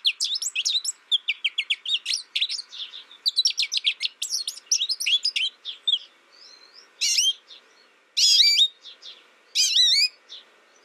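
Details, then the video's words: American goldfinch giving a fast run of high, thin twittering notes, then clearer rising, bent whistles at about seven, eight and ten seconds, each separated by short pauses. "American Goldfinch Sound"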